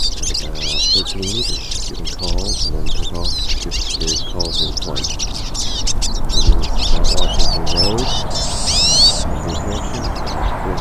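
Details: Hooded siskins, several birds singing in the wild, give rapid high twitters and looping slurred whistles that run on for seconds, over steady low rumbling background sounds.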